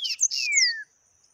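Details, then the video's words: Yellow-bellied seedeater singing the taquara rachada song type: buzzy high notes overlaid on a long, smoothly descending whistle lasting under a second, then silence except a faint steady high tone. "Papa capim Peito amarelo canto taquara rachada"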